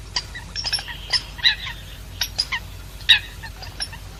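American Coots give short, squeaky, nasal clucks and toots like a squeeze toy, about a dozen in quick irregular bursts, seemingly from several birds, over a faint low hum.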